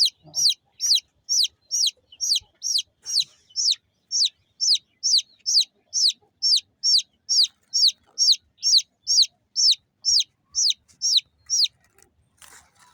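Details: Small local chicken chicks chirping: a steady run of about 27 shrill, high peeps, each sliding sharply downward, repeated roughly twice a second for twelve seconds, then stopping with faint rustling at the end.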